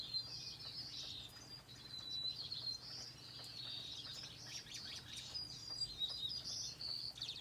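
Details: Finches singing: a dense, continuous stream of high, thin chirps and short twittering phrases from several birds over a low steady hum.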